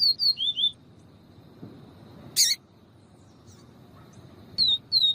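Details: Yellow-bellied seedeater song of the viviti style, mixed with female calls for stimulating a male: a run of four downslurred whistles, a harsh broadband chip mid-clip, long quiet gap, then two more whistles.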